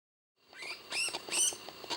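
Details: Flavescent (Blyth's) bulbul calling at Tawi Sanctuary, giving a quick run of bright, chattering notes, with two louder rising chirps close together; no other clear sounds.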